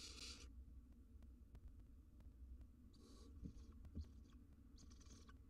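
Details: Barn owl nestlings, wild, grooming one another inside a nest box; brief soft hissing bursts at the start and several fainter hisses near the end over low rustling and muffled knocks.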